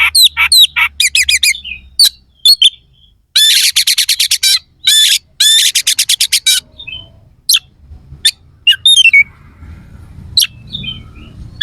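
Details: Oriental magpie-robin in vigorous song with coarse fill phrases, meant to incite other contest birds: quick whistled trills, then long runs of loud harsh rasping strokes, tapering into scattered whistles over a low rumble.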